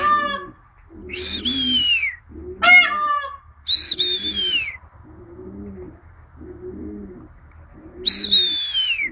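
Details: A peahen answering a person in a back-and-forth exchange: loud, shrill, downward-sliding screams and one stacked nasal honk, alternating with a steady series of low rounded sounds.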